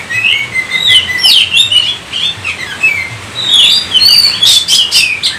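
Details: Oriental magpie-robin in full song, a varied run of loud whistled phrases, some rising and falling slurs and sharp harsh notes, delivered continuously with short gaps between bursts.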